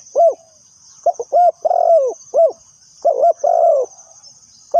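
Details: Spotted dove serving as a trapping decoy, repeating low mellow coos, single clipped notes alternating with longer level coos in quick succession, backed by a constant high-pitched insect-like drone.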